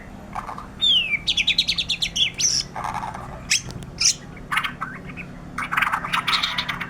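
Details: White-rumped shama in full 'gacor' voice. A descending whistle leads into a fast trill of repeated notes, followed by harsh broadband bursts and busy chattering phrases.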